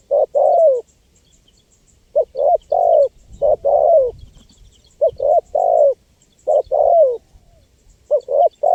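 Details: Spotted dove calling tirelessly as a lure for wild birds: repeated low three-note coos, short-short-long with a falling tail, phrases close together, accompanied by faint high-pitched chirping of small birds.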